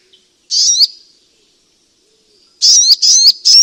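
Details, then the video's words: Sunbird calls played as a lure for trapping birds: one sharp, high, slurred chip, a pause, then three quick buzzy chips in close succession. No other sounds. "Suara Burung Madu Untuk Pikat"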